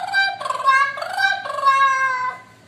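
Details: Pet parrot singing on a staircase: a sustained, tuneful, voice-like melody in stepped notes, held tones rising and falling, fading at the end.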